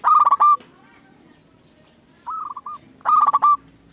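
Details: Lure song of a zebra dove, played to get other doves singing: a loud run of rolling coos, a long pause, a quieter four-note phrase, then another loud burst.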